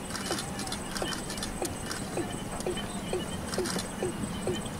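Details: Female Watercock in June 2017 near Kolkata, West Bengal, India, giving a quick series of short downward-sliding notes, about two each second, against a constant droning background.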